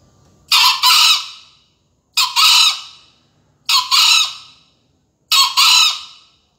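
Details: Green junglefowl from Surabaya crowing at a 2020 final of a green junglefowl contest: four loud, harsh two-part crows, each a short burst then a longer rasping one, spaced about every one and a half seconds, with quiet between.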